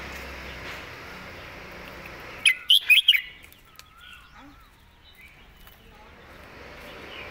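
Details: Red-whiskered bulbul delivering a master-song phrase with crisp, distinct notes: a short rapid run of bright whistled syllables rising and falling. Steady background hiss before the phrase, faint chirps after it.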